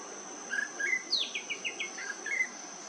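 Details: Orange-bellied flowerpecker in Bali giving sharp, high chips, then a quick run of about six notes dropping in pitch, over a steady high insect whine, with a thrush singing in the background.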